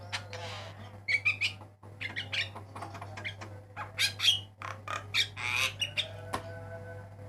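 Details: Black-winged myna singing on a master recording for training cage birds: varied harsh squawks and chirps in dense bursts with brief whistled notes, over a steady low hum.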